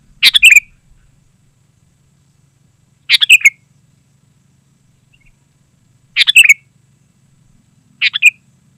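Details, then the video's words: Sooty-headed bulbul singing busily, a recording for luring wild birds and as a master for caged birds: four short bubbly phrases of quick whistled notes, roughly every three seconds, over a faint low hum. "Suara Burung KUTILANG GACOR Sangat Rapat"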